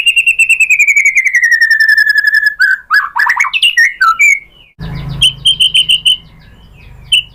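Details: White-rumped shama song used to provoke replies from other shamas: a long steady falling whistled trill, then jumbled chattering notes, a brief break with low hum, and spaced sharp high chips.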